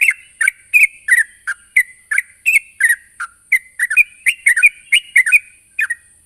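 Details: Sooty-headed bulbul giving a rival-summoning call, a series of short bright chirps with slurred falling ends, spaced irregularly about every half second, over a constant high-pitched hiss.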